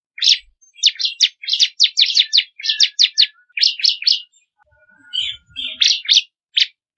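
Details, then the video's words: Song variation from a crystal ciblek (bar-winged prinia) for training songbirds: a fast, jumbled stream of varied chirps and sharp notes, briefly pausing, then resuming with scattered chirps. "Masteran suara burung ciblek kristal 4 variasi"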